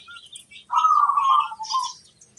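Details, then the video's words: Local zebra dove, a lively singer used to lure other zebra doves into answering; one rolling, burbling coo phrase at mid pitch, ending in a shorter trill, with faint high chirps of other birds. "Perkutut lokal gacor ampuh - untuk pancingan semua burung perkutut"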